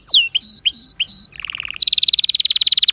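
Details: Canary song opening with loud downswept whistles and short clear tones. These are followed by a low soft buzzy trill and then a quick, rhythmic high rattle of repeated notes.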